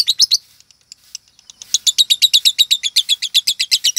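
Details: Female lovebird with the changing song style and notes said to mark 'konslet', the top class of lovebird singing; a short chirp burst, faint ticks, then a long run of rapid high, even shrill notes.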